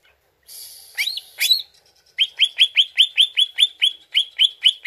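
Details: Greater green leafbird sound used as a lure to make the bird respond: a couple of high, squeaky swooping notes over a thin hiss, then a fast, even run of bright rising chirps.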